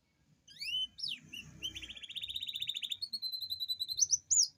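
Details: Canary in strong voice delivering a long rolling lure song to get lazy canaries singing: a few rising whistles and sharp flicks, then a sustained, rapidly pulsing high trill, ending in quick bright upslurred notes over soft low rumbling.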